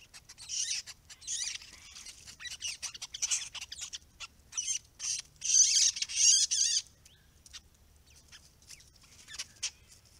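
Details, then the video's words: White-browed babblers, described as restless, noisy and querulous, at a pond in a protected area with native grasses and open understory; harsh, scratchy chattering notes in irregular bursts, louder rasping phrases midway, some faint chirps between. "White-browed Babbler - restless, noisy and querulous"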